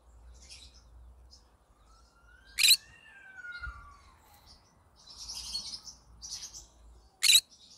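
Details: Yellow-sided green-cheeked conure singing, giving two sharp, harsh screeches about four and a half seconds apart. Between them are a faint, thin descending whistle and soft scratchy chatter.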